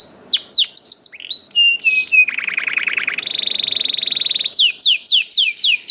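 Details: Young canary singing a continuous rolling song in the 'cuit cuit ngerol' style, used as a lure so other canaries start singing: quick downslurred whistles, then a buzzy roll, a steady higher trill, and closing falling chirps.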